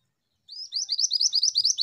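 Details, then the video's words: Female Pied Bushchat, singing actively, begins with a short lead-in note followed by a fast, regular run of high, rising chirps that continue to the end. "MANTENAN BETINA GACOR"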